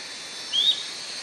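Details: A single drawn-out, thin whistle from an Atlantic royal flycatcher, rising gently in pitch, heard over a steady high background hiss.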